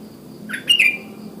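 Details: Sooty-headed bulbul calling in the wild in the morning to get other bulbuls calling too: one short, bright, slurred phrase of two or three quick chirping notes over faint background hum.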